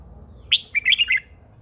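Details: Older wild-caught female red-whiskered bulbul, kept as a cage bird to rouse males; one sharp high note, then a rapid run of clear, bubbling, up-and-down whistled notes lasting about half a second.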